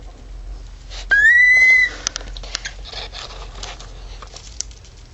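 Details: Male pet cockatiel imitating a siren: one rising whistle that climbs and levels out for under a second, followed by scattered clicks and rustles.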